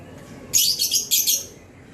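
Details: Gloster canary recorded on 21 June 2020, giving a brief burst of song: two quick clusters of high, bright, rapidly chirped notes lasting about a second in all, over a quiet, low background hum.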